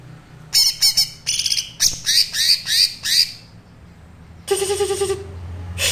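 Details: Green leafbird singing a thin trotol style as a teaching recording: a lively run of varied high chirps and slurred notes, followed by a harsh buzzy phrase with a lower nasal tone.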